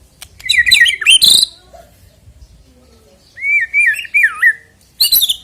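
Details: White-rumped shama song meant to trigger singing before a songbird competition: a burst of twisting whistled notes, a pause, then a warbling wavering whistle and a final sharp burst.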